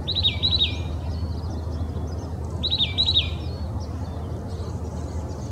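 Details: An Oak titmouse in Old Torrance, Los Angeles County, California, on January 21, 2020, sings quick, clear whistled phrases of three or four notes, given twice about two and a half seconds apart, over low background rumble.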